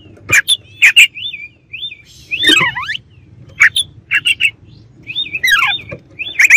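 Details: Oriental magpie-robin singing to stir up rival birds: sharp clicks and chips alternate with looping, wavy whistled phrases and quick descending trills, in bursts separated by brief pauses.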